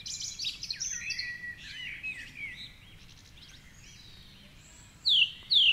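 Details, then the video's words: A song thrush sings at 4:45am in the dawn chorus beside the Curragheen River, Cork City, recorded with a rock-mounted microphone aimed at its treetop perch. A jumble of varied chirps and warbles gives way to two loud, sharply descending whistles. "Dawn Chorus with Song Thrush"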